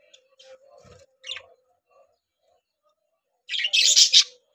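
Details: Budgerigars kept as three breeding pairs in a cage give quiet scratchy warbles, then a loud harsh burst of buzzy chirps toward the end.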